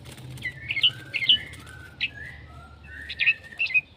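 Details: Red-whiskered bulbul heard more distantly, giving soft warbled whistles and falling notes in loose groups over steady background noise.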